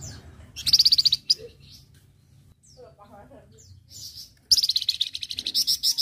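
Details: Singing flamboyan on a recording for training other birds: two bursts of fast, high, evenly pulsed chirps, each about a second or more, separated by quieter scattered notes and faint low hum.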